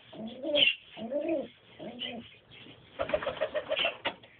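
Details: Pigeons, a pair with a youngster, giving a few low, soft, throaty coos in short phrases, then a rougher burst of rapid pulsed notes near the end.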